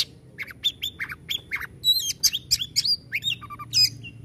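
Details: Rapid white-rumped shama song: a string of short buzzy notes followed by bright whistled slides and harsh chattering bursts.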